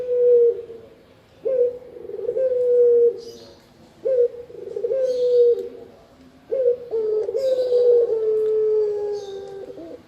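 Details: Spotted dove, a recording used for luring birds and as a master sound for training. Low, soft cooing phrases, each a short rising note followed by a long, steady hum, repeated about every two and a half seconds. Faint high chirps from other birds can be heard.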